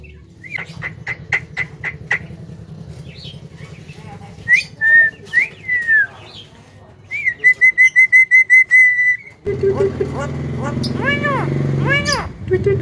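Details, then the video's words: Javan myna said to talk well, giving sharp clicks, then clear whistled notes, a rapid run of about ten even whistles, and finally a burst of harsher arched calls over louder background noise. "BURUNG JALAK KEBO BISA BICARA SANGAT BAGUS DAN PINTAR"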